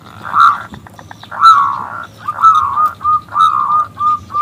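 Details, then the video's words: Zebra dove, a local bird with a loud clear voice, calling a male into song: drawn-out cooing notes, each with a slight drop at the end, repeated about once a second. "PERKUTUT lokal Gacor Suara BESAR Kristal Memanggil JANTAN ngajak BUNYI"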